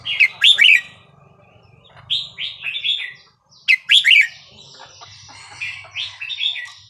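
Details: Burmese-style 3-4-5-6 song from a red-whiskered bulbul, played to teach young birds: two loud, sharply warbled bursts alternate with mellow slurred whistles, over a faint low hum.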